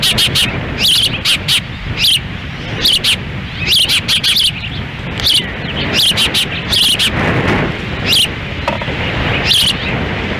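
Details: On a windy June 10, 2017, at an osprey nest in Lolo, Montana, the female feeds chicks as the male stands by; fast runs of shrill, high whistled chirps in irregular clusters over rumbling wind.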